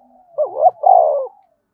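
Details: Spotted dove calling in the vigorous thúc bổi manner. After a soft introductory note comes one loud phrase: a stuttered, undulating start, then a long, rich coo sliding slightly downward. A faint low hum underneath.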